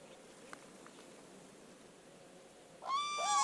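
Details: Common crane in spring, during a crane dance, gives one loud, rich trumpeting call near the end, after nearly three seconds of faint background hiss.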